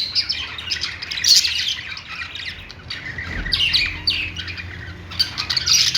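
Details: Budgies kept as pets singing: harsh squawky chirps in uneven bursts, a louder burst near the start and a faint low hum underneath.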